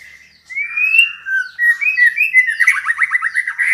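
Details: Female white-rumped shama calling to stimulate a male to sing: clear rising whistles, then sliding whistled notes, ending in a rapid buzzy trill of repeated short notes.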